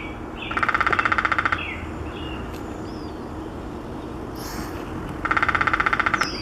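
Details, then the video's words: Downy Woodpecker drumming in Maplewood Park, North Vancouver, BC, Canada, on 11 June 2017: two even, rapid rolls of about a second each, several seconds apart, over a low background rumble with faint bird notes. "Downy Woodpecker セジロコゲラのドラミング"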